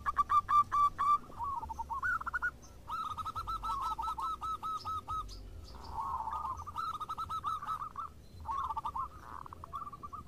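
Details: Several local zebra doves in lively song, answering one another: strings of quick, bright cooing notes, some rising, one series following another almost without a break, over a faint low rumble.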